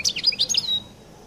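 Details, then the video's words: European goldfinch from Collo, singing a brief burst of bright, high twittering notes and quick rising and falling chirps lasting under a second, ending in a thin sustained whistle before quiet. "تغريد حسون القل المميز"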